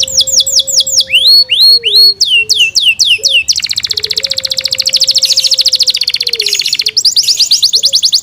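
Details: Loud song from a kept Yorkshire canary: looping downslurred whistles and upswept notes, then a long fast buzzing trill lasting several seconds, ending in renewed falling whistles; a low steady hum-like tone runs beneath.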